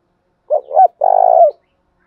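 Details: Spotted dove used to lure other birds, calling in a three-part phrase: two brief coos then an extended, finely pulsing coo with a falling finish, heard clearly in silence.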